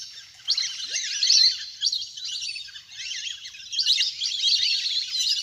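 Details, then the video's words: Ducks in a large flock playing in water, recorded from nature as a lure: bursts of sharp, wavering whistled notes surge and ebb, with a quieter gap before the chorus swells again. "เสียงนกเป็ดน้ำ! ฝูงใหญ่เสียงคมชัดมาก สำหรับต่อเรียกนกให้ลง"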